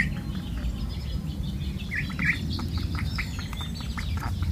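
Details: Four ducklings on a walk give scattered high peeps, a couple of louder downward chirps standing out among fainter ones, against steady low-pitched background noise.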